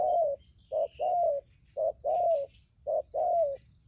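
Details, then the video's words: Decoy spotted dove, wild-caught, cooing in the thúc gù style: three paired phrases, each a clipped coo followed by a drawn-out wavering coo, about one pair per second, with soft chirps of other birds. "Bấy cu gáy bổi thổ tốt tiếng , hàng thúc gù"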